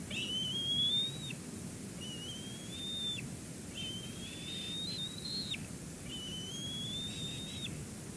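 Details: Whistled calls at a Two Harbors bald eagle nest on a live cam, 8 June 2022, the day a chick first climbed a rock to branch. Four high, slightly rising whistles, each about a second long, ending in a quick drop, with constant hiss behind.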